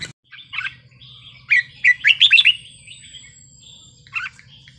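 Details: Red-whiskered bulbul singing a 'wild song' style phrase, played to excite other bulbuls: bright warbled notes in a quick run mid-clip, short chirps before and after, a steady low hum beneath.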